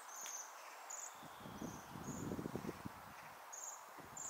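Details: Several waxwings visiting a tree to eat berries in December 2023 give thin, very high, buzzy trills, one roughly every half-second to second, over soft low rustling and thumping.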